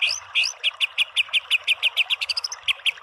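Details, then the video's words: White-rumped shama repeating a crisp chipping note roughly six times per second, with a brief rising whistled sequence near the end. "MASTERAN MURAI BATU full TEMBAKAN biar EMOSI NYAUT jadi BUNYI GACOR BONGKAR ISIAN"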